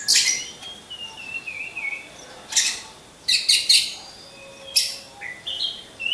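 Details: Orange-headed thrush kept caged and hung in a row during training: a long rising-and-falling whistled phrase, then short sharp high notes and buzzy bursts, with soft quieter notes between.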